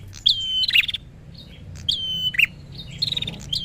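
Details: Agitated prenjak: short buzzy trills and level whistles closing on a low chip, repeated irregularly about every second, over a slightly noisy background.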